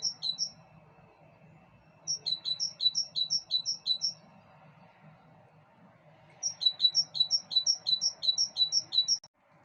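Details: Bird song from a balcony: three rapid runs of high, bright, two-toned chirps, the longest about nine notes, separated by short pauses, with a faint low hum in the background.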